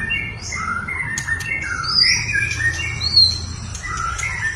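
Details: White-rumped shama singing in full, varied style, used to stir a quiet shama into song: a series of clear whistled notes, short slurs and brief squeaky phrases with small gaps between them, over a faint low hum.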